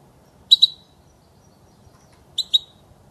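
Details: European goldfinch, a recording made for tutoring young birds in song: two paired bright high chirps, each pair a quick double note, about two seconds apart over a quiet background.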